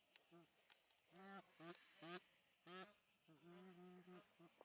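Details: Egyptian goose at a zoo bird garden in Upie, Drôme, France, giving short nasal honks in irregular bursts, some drawn out slightly longer, over a steady high-pitched insect drone.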